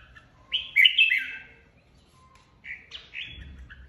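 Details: Contest song of a red-whiskered bulbul that led its flock and has just been taken from an aviary: a rich, fluty warble, a pause, then a second brighter phrase of slurred notes.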